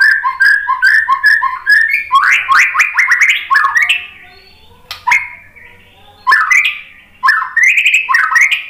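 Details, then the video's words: White-rumped shama singing to rouse fighting males: a run of repeated short whistled notes, then rich rising warbles and sharp clicks, with silent gaps between bursts of varied phrases. "SUARA MURAI BATU bikin EMOSI FIGTHER jadi NYAUT GACOR"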